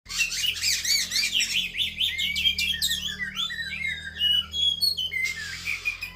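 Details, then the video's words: Female Javan pied starling singing: a rapid run of scratchy, rising high notes and buzzy chatter, then loose whistled phrases and a harsh burst near the end. "kacer betina narung"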